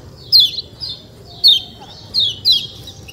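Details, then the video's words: A white-eye (kecial kuning) giving four clear, high descending chirps spaced at uneven intervals over a quiet background. "ciak ciak jos kecial kuning suara alam"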